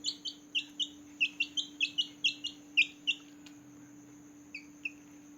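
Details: Small newborn chicks chirping loudly at night: a run of high, short falling peeps, about three to four per second, fading to scattered single peeps near the end, over a steady low hum.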